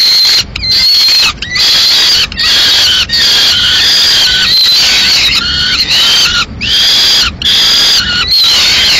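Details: Peregrine falcons at a nest in Madrid, 15 May 2016, as the male arrives with a still-living swift that the female then finishes off; harsh, harmonic calls repeated roughly once a second with brief gaps between them.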